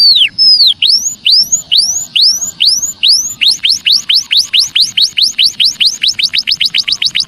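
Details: Clear, loud munia chirps for luring wild birds, each a sharp sweeping note; spaced slowly at first, then speeding into a fast, steady run of rising chirps.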